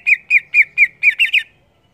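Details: Greater green leafbird giving vigorous ngeplong song: seven loud, raspy notes in quick succession, the last three coming faster and slightly higher before the bird falls silent.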